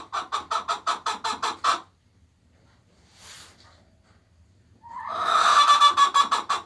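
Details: Hens singing the egg song while laying eggs: a run of quick, even clucks, a brief pause with a faint noise, then a loud drawn-out squawk breaking into further rapid clucks.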